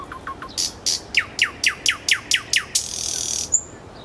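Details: Nightingale singing in Moscow's Kuzminki forest park: a few low piping notes, then a fast series of loud descending whip-like strokes, closing with a broad hissing buzz and a thin high whistle.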